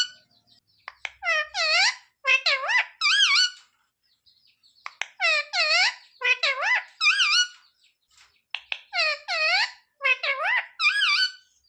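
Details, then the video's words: Pet parrot repeating a talking phrase about roti three times, each round a cluster of four or five nasal, harmonic syllables that dip then rise, separated by short pauses. "Parrot talking mummy mithu ko roti do"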